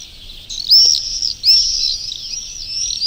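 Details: Swifts that breed in churches, recorded live at Urdaibai marsh on a 2020 spring afternoon: two loud drawn-out shrill screams, each bending upward then leveling, trail into a fainter continuous whistling buzz.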